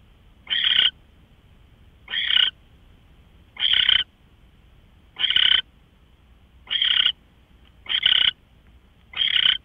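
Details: Owl heard before dawn on March 24, 2013, 5:27 AM, uttering seven rough hissing screeches at uneven intervals of about one to one and a half seconds against a quiet backdrop.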